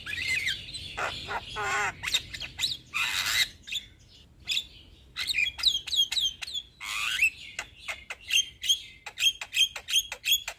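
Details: Young Javan myna singing as a model for other birds, starting with harsh raspy squawks and a wavering grating note, then breaking into rapid sharp clicking chips in quick series, followed by more buzzy rasps and clipped chirps.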